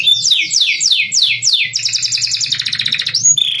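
A canary sings five quick, high downward-sweeping whistles, then a fast buzzy trill and a rising note ending on a steady tone, over a faint low hum.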